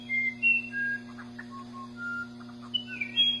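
Musician wren singing pure, flute-like whistles that jump between different pitches, mixed with brief gurgling notes, over a steady low hum.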